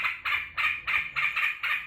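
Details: Yellow-vented bulbul kept at home, greeting the owner after work. Six even chattering bursts, roughly three per second.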